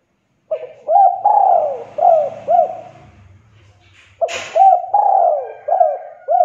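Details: Spotted dove coos, played as a lure to get reluctant doves calling: rhythmic phrases of soft, hollow, low-pitched notes with slurred, falling inflections, paused midway, then resumed after a brief rough noisy burst.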